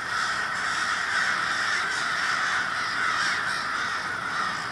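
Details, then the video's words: Many crows together in Minneapolis, Minnesota, February 2020, their caws blending into a rough, hissing mass of sound with few separate calls distinguishable. "A Murder of Crows"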